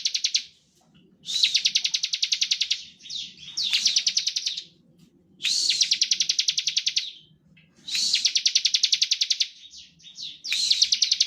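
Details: Bar-winged prinia in steady, lively song, used as a lure to provoke other birds to sing: bursts of rapid, dry, buzzy chips, each lasting about one to two seconds and separated by short pauses.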